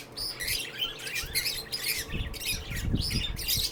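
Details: Shrill, twisting chirps and squeaky twitters from lovebirds at a shelter, coming in quick bursts nearly without pause, over low thumping noise.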